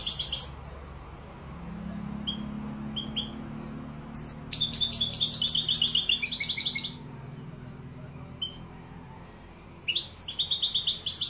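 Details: European goldfinch from Morocco singing Málaga style: scattered short high chirps, then a lively two-second phrase of rapid, jangling twitters, more single notes, and a fresh burst of song at the end.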